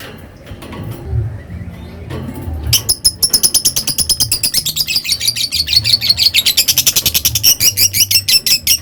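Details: Lovebird ngekek: after a couple of seconds of low rustling, a fast high chatter begins and accelerates to about seven harsh notes per second, growing louder toward the end.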